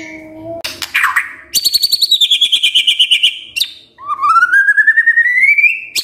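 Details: Magpie-robin, known as murai, singing to draw other birds into song: a low whistle, a harsh burst, a rapid pulsed high trill, then a long whistle rising steadily in pitch.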